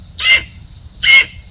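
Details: Captive red-tailed hawk used in falconry, a female found in the wild and raised by a hawk parent, not an imprint; two short harsh screams, each starting high and dropping, about 0.8 seconds apart.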